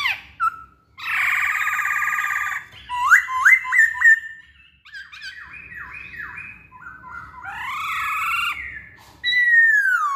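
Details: Masked laughingthrush singing vigorously as a song lure for other birds: a harsh buzzy note, upswept whistles, dipping looped phrases, and a long descending slurred whistle.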